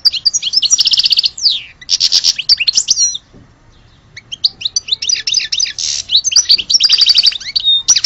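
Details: Song of a European goldfinch of the Algerian type: dense rapid tinkling trills and buzzy rattles in long phrases, with a brief pause near the middle.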